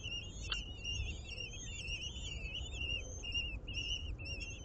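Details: Common kestrel (Falco tinnunculus) at an urban nest in a ninth-floor planter in Aguadulce, Almería, with chicks being fed: high, wavering, trilled whistles, nearly continuous, rising and falling in pitch, over steady low city traffic rumble.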